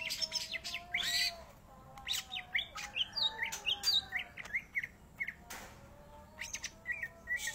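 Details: Greater green leafbird in lively song, delivering clusters of quick chirps, rising and falling whistled slurs and rasping notes separated by brief pauses, with a soft continuous hum beneath.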